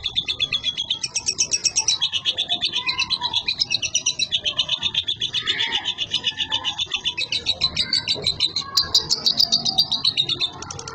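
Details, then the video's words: Young caged lovebird from Boyolali delivering a long 'konslet' style song without doping: nonstop rattling, chattering high notes pulsing about four per second, shifting in pitch, with brief rising squeaky whistles mixed into the continuous stream. "LOVEBIRD konslet"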